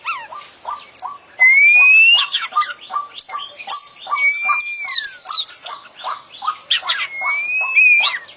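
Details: Oriental magpie-robin, an international champion bird, singing a full 'isian' song: long rising and falling pure whistles, rapid high trilled twitters and chirps over a steady run of short low notes.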